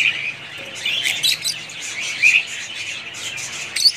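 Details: Budgerigar parrots keep up high twittering chatter, with scattered squeaky chirps standing out and short bursts of louder warbling throughout.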